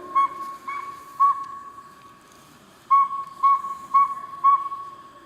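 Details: Northern saw-whet owl, a small nocturnal owl of dense deciduous forest, played at an owl talk, gives clear, even whistled toots on one pitch, about two per second, with a short break midway; faint background hiss.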